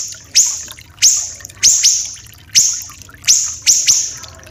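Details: Common iora, a tutor recording for training captive songbirds, voice described as rough and dense: sharp high notes, each falling and fading, repeated about every half to one second with irregular gaps, over a faint low hum.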